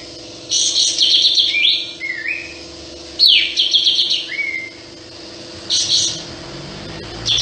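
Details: Sooty-headed bulbul in steady song with its tail spread, delivering three grating, buzzy phrases about two to three seconds apart, each ending in short slurred falling whistles, with a constant low hum underneath.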